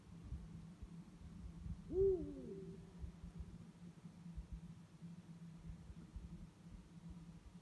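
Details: Two Eurasian eagle-owls calling at night: a single deep hoot, swelling and then falling, over a steady low hum and faint background noise.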